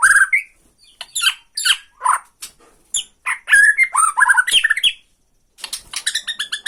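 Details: Bornean white-rumped shama provoking rival birds with tretekan song: a varied jumble of short whistles, sharp chips and buzzy notes in quick bursts, a brief pause, then fast chattering notes.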